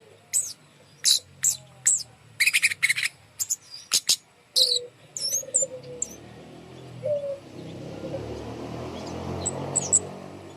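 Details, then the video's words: Bird song hung up high to coax quiet birds into singing: sharp, very high chirps in quick bursts, a few low whistled notes, then a rising wash of background noise over the final seconds. "gantang burung kemade di atas untuk pancingan burung malas bunyi"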